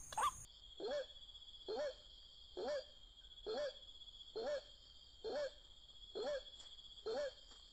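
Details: White-breasted waterhen being lured toward a bird trap: eight short, nasal, wavering calls, each with a slight rise and fall, evenly repeated about once per second, over a steady high-pitched whine that runs throughout.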